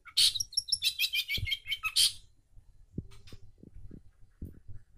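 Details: Long-tailed shrike in lively song, used as a lure recording for birds that have stopped singing: two seconds of rapid, high, scratchy chirps and trills, then near silence with a few faint low knocks.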